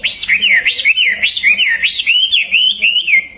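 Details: Hwamei song for training songbirds: rich wavering whistles rolling up and down in a smooth continuous melodic phrase.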